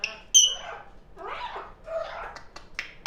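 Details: Young pet African grey parrot chatting indoors on a lively afternoon, giving a sharp whistled note, then a few harsh, speech-like babbled phrases and short clicks, with a yellow-naped Amazon parrot also kept in the home.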